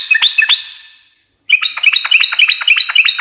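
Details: Energetic sooty-headed bulbul song, kept to make other birds reply: two bright chirps, a short silence, then a fast run of sharp, bubbly notes repeated several times a second over a thin high ringing tone.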